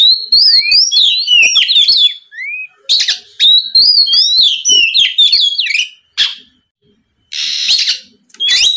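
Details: Oriental magpie-robin song meant to provoke rivals into singing: rapid, varied whistled warbles and chirps in dense phrases, interrupted by harsh buzzy notes and a few silent pauses.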